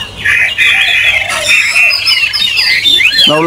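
A Chinese hwamei sings a loud, continuous run of bright whistled and warbled phrases, high-pitched and rich, with a man's voice breaking in at the end.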